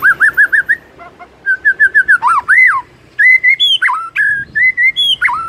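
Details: White-rumped shama's morning song, meant to trigger loud singing in a silent bird. Runs of quick, even whistled notes lead into looping, sliding whistles and clear falling phrases.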